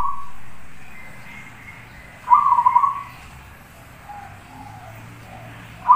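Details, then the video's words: A zebra dove singing as a master for training other birds: one loud trilled coo, then softer, lower notes and the start of another coo. "suara Perkutut Gacor"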